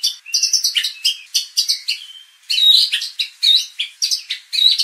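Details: White-rumped shama lure song to train contest birds' fighting spirit: choppy runs of high chirps and warbles, a short pause, then loud, rich whistled phrases with sliding notes.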